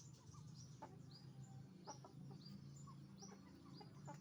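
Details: Roosters and hens on a chicken farm making noise: dense overlapping clucks and high short calls over a steady low hum of the shed.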